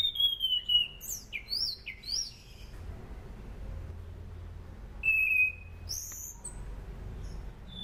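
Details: Sunda pied fantail song for lure training: a falling whistle, quick up-and-down slurred notes, a pause, then another short bright whistle. Faint high twitters and a low hum sit behind it.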